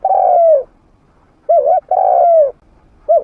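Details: Decoy spotted dove, trained and medium-voiced, used to call wild doves in to fight. A long, falling, mellow coo, then a short wavering note and another long coo, ending on the start of the next phrase.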